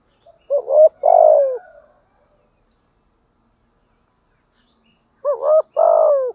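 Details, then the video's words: Decoy spotted dove in the thổ cooing style delivers two phrases roughly five seconds apart. Each has hoarse stuttering lead notes and a long rolling coo ending in a downward slur. "cu mồi giọng gáy bài bản, cu gáy giọng thổ, cu gáy"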